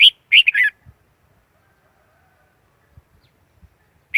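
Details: Red-whiskered Bulbul lure song for trapping wild birds: a fast cluster of three warbled notes, a long pause with faint taps, then another note at the end.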